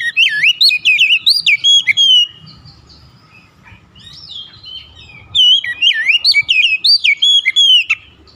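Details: An Oriental magpie-robin fired up by a rival kacer's call sings two energetic bouts of tumbling, swooping whistles and crisp chirps, with a quieter patch between them.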